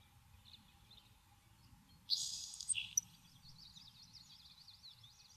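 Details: Nelson's sparrow singing in a Maine saltmarsh: one harsh, hissing burst about a second long, a wheezy buzz ending in a short lower note. Thin wavering trills from another bird follow, over faint background noise.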